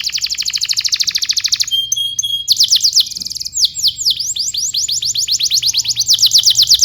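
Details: Canary song used as a training recording for young canaries: rapid repeated trills and rolls at high pitch, a brief whistled note, then fast downward-sweeping syllables repeated in series.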